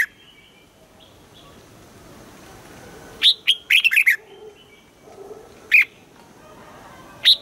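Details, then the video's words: Red-whiskered bulbul in captivity, trained to sing in the morning: one rapid descending phrase of chirpy whistled notes near the middle, bracketed by single sharp isolated notes, over a quiet background hum. "Luyện giọng cho chào mào hót sáng, ép chào mào hót âm kép già rừng hay tuyệt!"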